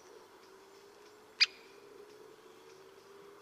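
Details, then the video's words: Great spotted woodpecker, Vosges, Alsace, uttering one short, sharp, abrupt call note against a low background hum. "Présentation du pic épeiche et ses différents cris"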